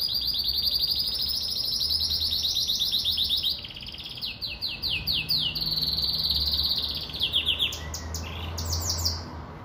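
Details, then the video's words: Song of a Venezuelan siskin and female Belgian canary hybrid, the pintagol: rolling high trills broken by a run of quick descending sweeps, then more fast trilled phrases, with a low hum underneath. "Pintagol Venezuelano"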